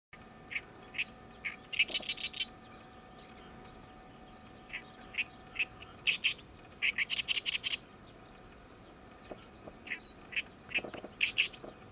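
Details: Oriental reed warbler, a summer migrant newly arrived this season, singing noisily its 'gyo-gyo-shi' song: harsh, grating chattered bursts of repeated notes near two, six to eight, and eleven seconds, with scattered single notes between, over a steady low hum.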